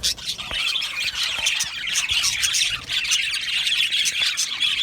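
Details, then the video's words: Budgerigars chirping in an aviary, a busy overlapping flock chatter of squawky chirps and warbles with short rhythmic bursts. "Happy Budgie birds chirping sounds"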